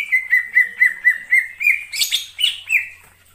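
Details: In wild forest, a greater green leafbird repeats a short whistled note about four times a second at steady pitch, ending with a harsh scratchy burst and a couple of higher rising whistles.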